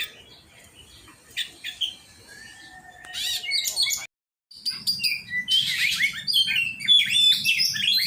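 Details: Oriental magpie-robin heard during song training: a loud, varied run of clear whistles, fast trills and harsh buzzy phrases, broken by a short silent gap midway, over a low steady hum.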